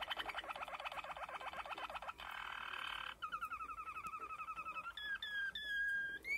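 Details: Malinois Waterslager canary, recorded 2020, singing a varied low-pitched series: a fast bubbling run of rapid repeated notes, a dense buzzy roll, a steady chain of paired notes, then several long clear whistled notes.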